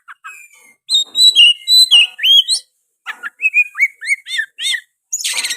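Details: Nonstop oriental magpie-robin song full of sooty-headed bulbul phrases: long clear whistles, rising and falling slurs, a run of bouncy looping notes, and a harsh buzzy burst to finish.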